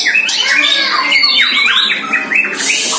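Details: White-rumped shama, a year old, training for the first time against a rival shama from next door: string of bright whistled slurs and arched notes in quick succession, with a hissing burst at the end.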